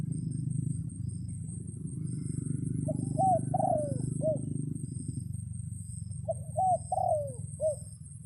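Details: Crowing of a red junglefowl rooster used to call wild birds while rain falls, two broken four-syllable crows about four seconds apart, the third syllable stretched and dropping, set against a continuous deep background rumble.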